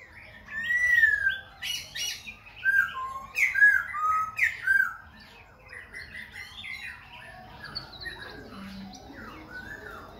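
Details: Singing and dancing Khe Sanh laughingthrush switching voice without pause, a fast run of loud varied whistles and slurs in the first half, then softer scattered notes.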